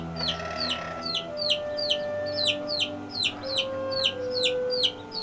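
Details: Bantam chickens from a cage-free flock kept in a city backyard: rapid high, downward-slurred peeps repeated about two to three times a second, over a steady background hum.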